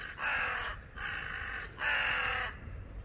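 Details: An angry crow on electricity wires gives three back-to-back hoarse, nasal caws, each roughly half a second to a second long, running almost without pause, with low rumbling background noise.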